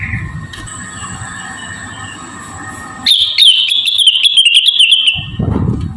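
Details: High, sustained whistle of a Javan cochoa, a model song for training songbirds, lasting two seconds and studded with fast, crisp tick notes, following a steady electrical hum and ending as rumbling noise resumes.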